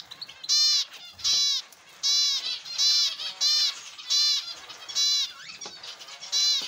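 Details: Zebra finches in an aviary: loud nasal, trumpet-like honking calls with stacked harmonics, repeated roughly every half second to second in a steady series, with a softer twittering flock chorus behind.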